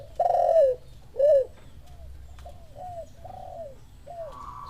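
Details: Spotted dove responding to a lure recording: two loud arched coos open, followed by a series of softer, evenly spaced downslurred coos, with steady low rumble underneath.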